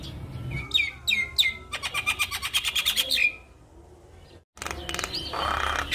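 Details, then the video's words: Javan myna singing, meant to prompt mynas that stopped singing: several downward-slurred squeaky notes, then a rapid buzzing trill of clicks, a short pause, and a harsh noisy chatter. "Kicauan Jalak Kebo Untuk Memancing Burung Jalak Macet Bunyi"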